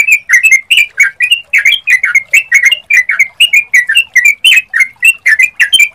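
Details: Sooty-headed bulbul lure song meant to make birds respond: a steady stream of short, clear, whistled notes, often paired or in threes, delivered about three times a second without pause for six seconds.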